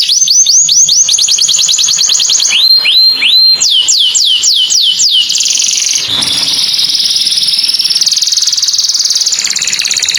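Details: Morning canary song: a fast high trill, then slower upward-curling whistled notes repeated about twice a second, giving way to a long buzzy, rolling trill.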